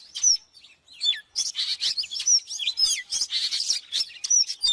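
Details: Fiery, fast song of an oriental magpie-robin for training birds: a dense, unbroken stream of harsh scratchy bursts threaded with thin high whistles and short looping notes.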